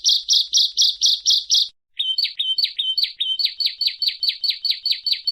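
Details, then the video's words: Bar-winged prinia song: strong high chirps, a short gap, then a faster string of sharp, slightly downslurred notes, repeated evenly to the end. "Suara Burung Ciblek Perenjak"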